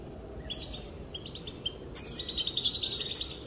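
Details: Female European goldfinch calling, the sound said to make males dance: a brief soft twitter, a pause, then a brighter burst of quick high chirps and trills.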